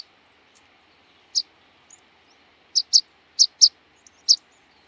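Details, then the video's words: Sharp high calls of a rock pipit, a shoreline and outer-archipelago bird: one chip, a pause, then a quick run of paired thin notes, clean and loud against a quiet background. "Luotokirvinen - Anthus petrosus - Rock Pipit - skärpiplärka"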